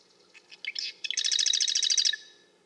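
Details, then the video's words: A marsh wren gives a few scratchy ticking notes, then a fast, dry, buzzing rattle of about a second on a high pitch, over a faint low hum. "Marsh Wren - Bird Sounds"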